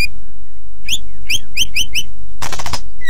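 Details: White-rumped shama song for teaching other birds: five short bright whistled notes in quick succession, followed by a loud harsh rattling burst.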